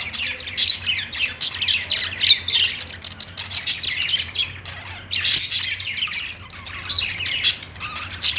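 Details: Perched budgies keep up a busy warbling song of scratchy chirps and squawky notes, loud clusters recurring irregularly through the stretch, above a soft low-pitched hum.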